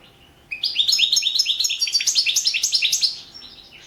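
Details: Competition song of a European goldfinch entered in an internet world championship: a dense three-second burst of quick, bright twittering notes, sliding up and down, starting abruptly after near silence.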